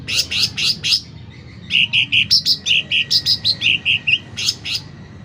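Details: A loud, lively sooty-headed bulbul song opens with sharp high chips, pauses briefly, then settles into a steady string of clipped, bubbly notes that swap between two pitch levels.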